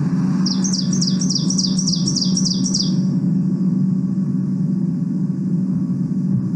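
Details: Ovenbird (Seiurus aurocapilla), song.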